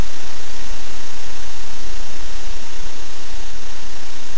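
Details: Loud, overdriven roar of wind or fan noise filling the whole recording, with no animal sound.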